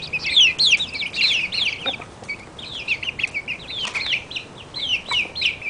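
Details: Barred Plymouth Rock chicks, one month old, giving loud, piercing peeps that slide downward. The calls come in quick irregular runs, with a few soft knocks between them.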